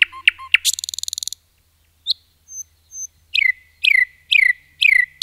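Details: Forest-singing common nightingale: opening chirps, a dry mechanical rattle, soft thin whistles after a pause, then four loud repeated notes sliding down, about two per second.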